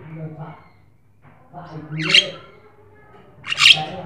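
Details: Black-winged starling song used to stimulate other birds: soft low chatter, then two loud, harsh, buzzy squawks about a second and a half apart.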